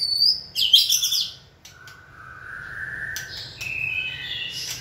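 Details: White-rumped shama being trained to sing on cue: quick high twitters, then long, level whistled notes that rise slightly in pitch toward the end.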